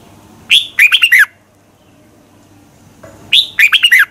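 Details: Competition-style morning song of a red-whiskered bulbul, used to train and excite other birds; two clear phrases about 2.8 seconds apart, each a rising whistle followed by three or four quick falling warbled notes.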